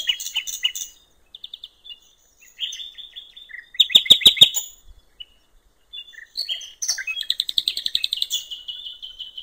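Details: Riverside common nightingale song in the wild: short high chirps, a sudden burst of loud clicking notes, then a fast run of repeated pulses settling into a thin sustained whistle.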